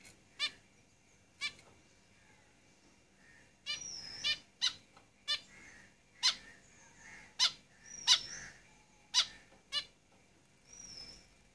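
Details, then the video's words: A lively run of caged zebra finch calls: sharp nasal toots repeated roughly every half second to one second for over eleven seconds, mixed with soft chatter and occasional high thin whistles. "Zebra Finches Singing in the cage"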